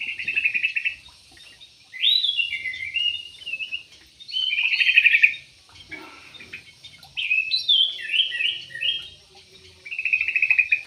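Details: Caged yellow-vented bulbul in an aviary repeating lively bubbling song phrases roughly every two to three seconds, each a cluster of rolling whistles and trills, with quieter pauses between.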